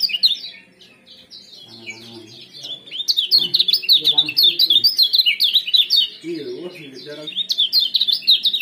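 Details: Lemon-bellied white-eye giving energetic ciak-ciak jos chatter for inducing breeding condition and tutoring songbirds; strings of fast, squeaky high twitters, a few soft lower mutterings beneath, nearly continuous in the second half.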